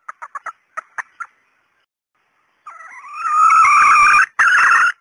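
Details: Female red junglefowl call used as a lure for males: a run of short, quick clucking notes, a pause, then a loud, harsh, drawn-out cackle with a brief break near the end.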